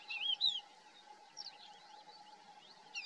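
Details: Thekla's lark calling in the Hoces del Río Duratón gorge: a short, clear whistled phrase of rising and falling notes at the start, then faint distant twitters, over a steady low background hum.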